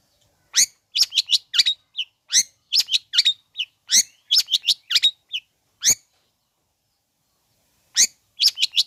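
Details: A long-tailed shrike pours out a rapid chattering song used to bait other shrikes into singing: dense, high, twittering notes in fast bursts, a gap of two seconds, then more chatter.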